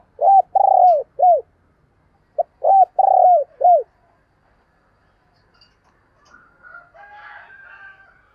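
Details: Spotted dove decoy calling to attract wild doves, two loud low cooing phrases in quick succession, each a short note, a rolling coo and a drooping close, then a quiet stretch with faint chattering from other birds.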